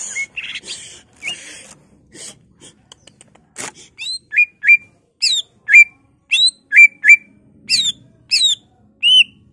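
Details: Greater green leafbird singing emphatically, full of imitated phrases of other birds such as magpie-robin and canary. Scratchy chatter opens, then clear upslurred whistles repeat about once a second, steady and loud.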